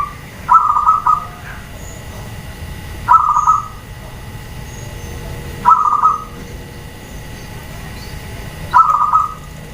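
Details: Female zebra dove calling to provoke males and other doves into answering: four short, mellow, trilled coo bursts, each about half a second, repeated roughly every two and a half seconds over a steady low background hum.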